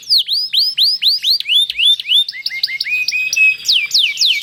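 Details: Canary song in a long, rolling style, used as a tutor to make other canaries join in. Loud arched whistles repeat about three times a second, then a denser run of short, stepped notes and rising slurs.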